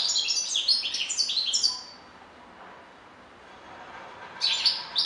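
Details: European goldfinch song: a dense run of liquid, twittering high notes for about two seconds, a quiet gap, then a fresh burst of sharp, tinkling chirps at the end.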